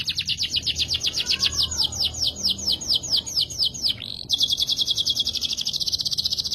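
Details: Canary singing vigorously, a song used as a lure to get other birds singing; rapid, evenly repeated high chirping notes for about four seconds, then a faster, denser buzzy trill that carries to the end.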